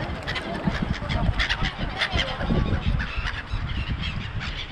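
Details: Gulls massed at Songdo in Busan, South Korea, give many loud, honking squawks in quick, irregular succession. Deep rumbling noise sits underneath.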